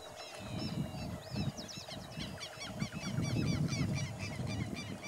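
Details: Brown-chested martin (Progne tapera) at Empalme San Carlos, Santa Fe, Argentina, on 9 February 2021, giving quick, rich gurgling chirps and twitters, several notes per second, over a steady low rumble of wind or distant traffic.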